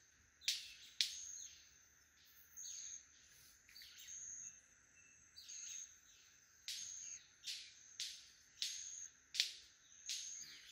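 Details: Several male White-collared Manakins performing a lekking display at Rancho Naturalista Lodge, Costa Rica, calling and snapping wings: sharp loud snaps at irregular intervals mixed with thin high calls, over a steady insect hiss.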